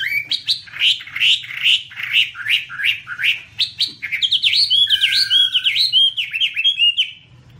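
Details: Chinese hwamei song with wing-waving, 2017: a run of rapid, repeated rising whistled notes about two or three per second, turning into looping, warbled up-and-down phrases, over a faint low hum.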